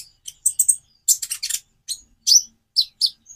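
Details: Konin, the purple-throated sunbird, giving varied song for coaxing other birds to sing: clean, very high chirps and buzzy trills in short groups, ending on a thin drawn-out whistle.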